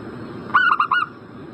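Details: A single brisk phrase of four stuttering coos from a zebra dove, played to spur a bird in breeding condition to call back; quiet hiss fills the rest.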